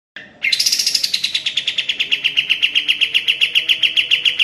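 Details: Sooty-headed bulbul (kapas tembak), a training recording for caged birds: after a brief high opening note, a fast run of sharp chips descends slightly and then repeats steadily about four times a second.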